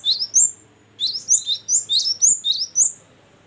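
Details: Gelatik batu, the Great tit, in ngeplong and gacor singing: a short opening of sharp high chirps, a brief gap, then a steady string of clear whistled notes at roughly four per second.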